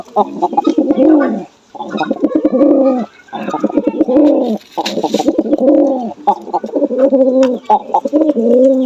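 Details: A Jalali pigeon in Bangladesh, kept alone in darkness for 15 days, is brought into the light so the owner can try to pair it. It coos in low, throaty, rolling phrases, repeated with short pauses.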